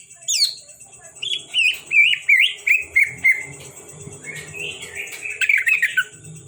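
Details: Captive Greater green leafbird from Kalimantan delivering a rapid series of bouncing, slurred whistles, about six descending notes followed by a warbled rising phrase, over a constant high-pitched background hum and faint low rumble.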